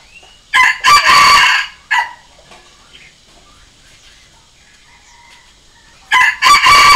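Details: A red junglefowl decoy crow used to train fighting and decoy birds: a harsh, ringing crow, then a brief clipped note. After a pause, a second loud crow begins.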